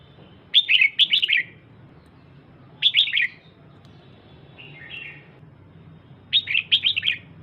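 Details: Female red-whiskered bulbul calling to stir up the male: three bursts of quick, bright, descending warbled notes, with pauses of about two seconds between them and one softer phrase in between.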